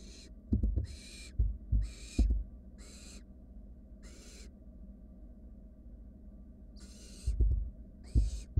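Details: Nestling barn owls, wild, in a research-monitored nest box while one swallows a rat; a series of rasping hiss-snores, some clustered close together, a long quiet gap, then two more, amid scuffling knocks.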